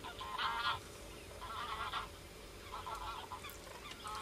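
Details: Common cranes calling: three bursts of harsh, rich, trumpeting notes, each under half a second long, spaced about a second apart over a steady low rumble, with faint high chirps in the background.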